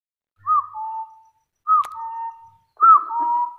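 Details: Hill partridge giving its fighting challenge call toward rivals: three loud whistled phrases, each a sharp arched note falling into a lower, steady drawn-out whistle, with a brief click between the first two.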